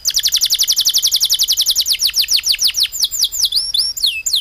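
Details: Songbird singing a rapid series of high descending whistled notes, about 220 per minute and evenly paced, then slowing into longer swooping, looping whistles toward the end; no other sounds stand out.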